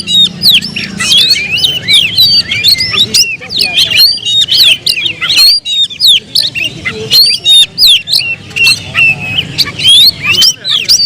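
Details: Oriental magpie-robin (kacer) singing a loud, rapid medley of varied whistled notes, rising and falling slurs and sharp clicks, delivered almost without pause, with a faint low hum beneath.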